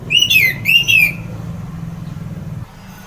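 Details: ['Orange-headed thrush (anis merah) delivering a brief loud phrase of its song: two quick slurred whistles, the first dipping and the second rising then falling, followed by a low steady hum.']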